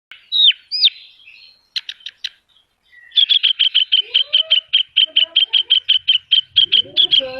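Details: Horsfield's bush lark singing vigorously, a gacor song full of isian fill-in phrases: two slurred high whistles, a few sharp clicks, then a fast run of about twenty bright, even chirps, roughly three per second, with faint lower notes beneath.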